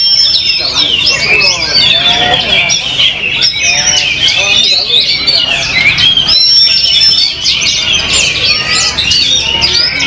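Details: Oriental magpie-robin kept as a contest bird, singing after its first moult: dense, fast run of high chirps, trills and short whistles, mixed with other singing birds and background talk.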